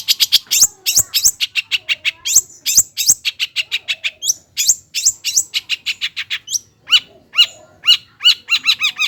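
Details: Lure song of a long-tailed shrike meant to stir quiet birds: long fast series of dry, clicking chirps, then a few thin whistles and rising upslurred notes near the close.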